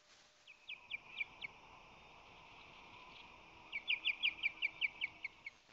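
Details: Ospreys at a San Francisco Bay nest, March 25-26, 2020, as the male brings fish and defends the nest: a brief row of five high, downslurred chirps, a pause, then a longer, louder run of about a dozen rapid chirps.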